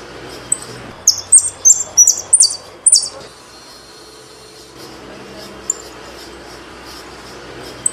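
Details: Saffron finch singing a quick series of high, sharp chirped notes that drop in pitch, bunched over about two seconds, followed by near silence with a faint steady hum.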